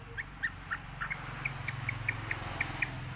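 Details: Sooty-headed bulbul lure sound played to prompt young birds to learn and sing: short bright notes repeated about every quarter second, steady and evenly spaced over a low background hum.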